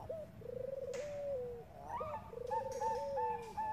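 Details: Lure call of a female zebra dove of the Bangkok type (perkutut bangkok) calling a male: two long purring, vibrato trills, each ending in a falling glide, then short repeated tonal coos.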